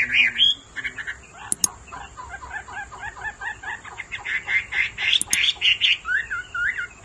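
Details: Captive male hwamei stirred into song by a calling female: fast series of short chattering and scratchy notes repeated steadily, two sharp clicks, ending in louder bright whistled phrases.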